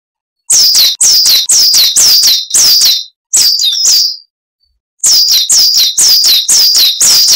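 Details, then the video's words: Cage-bird training recording of a coal tit singing: fast runs of high, piercing two-note 'wucit' phrases, about two a second, broken by one slurred squeaky phrase, a short silence, then the rapid repeats again. "Masteran Burung Gelatik Wucit Panjang Ngalas - Coal Tit"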